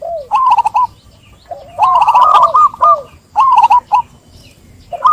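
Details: Zebra dove song played as a lure to make a quiet dove sing: short bursts of rapid, bubbling coos with a lower rolling note, in phrases about a second long separated by pauses.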